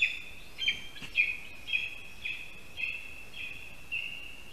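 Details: Lesser spotted eagle at its nest in a Latvian spruce during the first prey handover, a rat, on 22 August 2021; a run of high, nasal yelps roughly twice a second over steady background noise.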